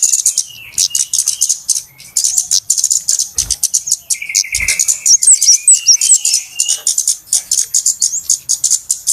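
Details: Noisy flowerpecker lure for bird trapping: an almost continuous rattle of thin, high chips with a handful of clear whistled flicks and two dull thuds.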